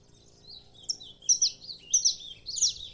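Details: Saffron finch giving bright, high chirping notes that start softly and grow louder, about three slurred phrases per second in the second half, over a faint low hum.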